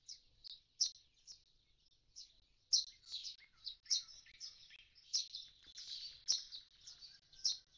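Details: Common starling at an empty nest box after its young have fledged: dense, continuous chatter of squeaky notes and sharp clicks, bursts roughly every half second, with occasional whistled phrases and no other clear sounds.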